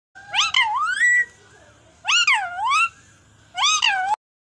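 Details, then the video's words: Pet parrot talking in a sweet voice: three drawn-out, wavering vocal phrases, each under a second long and rich in overtones, separated by short pauses in a quiet room. "mithu jani parrot king in sweet vice"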